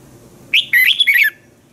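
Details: Caged red-whiskered bulbul from Thailand delivering a brief training song: a sharp opening note followed by a run of bright, warbling whistled notes lasting under a second, over a faint low hum.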